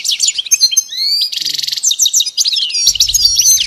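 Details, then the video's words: Goldfinch song for training a pet bird, lively twitters and clear rising and falling whistled notes, a buzzy trill midway, and faint low rumble toward the end. "Teaching the goldfinch the art of song-advanced lessons in best chirps"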